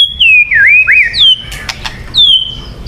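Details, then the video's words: White-rumped shama singing, a lure song: clear, loud whistled notes that slide down then swoop back up, in three short phrases, followed by sharp clicks and a final descending whistle. "Suara Burung Murai Batu yang paling baik untuk pikat"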